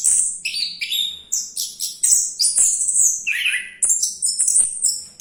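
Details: Orange-headed thrush singing while diving, pouring out high piercing whistles, harsh fizzy notes and one lower descending buzzy phrase, a varied and nearly continuous medley with short gaps.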